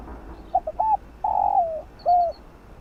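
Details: One full phrase of spotted dove song in the field-voice style, meant to rouse decoy birds: two brief low notes, a rounded slurred coo, then a long buzzy coo trailing downward and a last arched coo. Faint high chirps from another bird.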